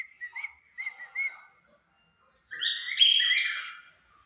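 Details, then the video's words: A cockatiel pair, one white, one yellow, sings at 5 pm: a few bright whistled chirps, a short pause, then a long loud rasping call. "casal de calopsitas cantando às 17hs"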